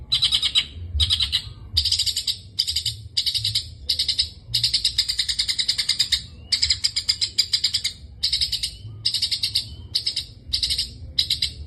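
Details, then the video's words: Long-tailed shrike singing in 'gacor full isian' style: steady series of short, buzzy, high chattering bursts repeated roughly every 0.7 seconds, a few merging into longer runs, over a quiet background. "burung pentet gacor full isian"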